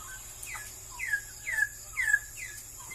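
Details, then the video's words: A straw-headed bulbul, or barau-barau, increasingly rare in Malaysia, gives a few softer slurred whistles that sweep downward, spaced about half a second apart, with a faint steady hum behind. "kicauan suara burung barau barau"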